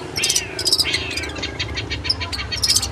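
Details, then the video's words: Long-tailed shrike training recording: brief scratchy bursts mixed with a few sliding whistles and thin high squeaks, all in quick succession over a steady low hum. "MASTERAN CENDET GACOR MANTAP"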